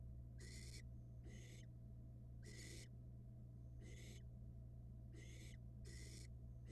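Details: Barn owl nestling at a nest box camera, Florida, swallowing a rat very fast; harsh broadband hissing screeches about half a second long, repeated roughly every second, over a steady low hum.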